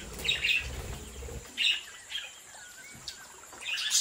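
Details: Budgerigars from a home breeding flock chirp in bright, scratchy bursts near the start, again mid-clip and at the end, with softer twittering and a low rumble in the opening second.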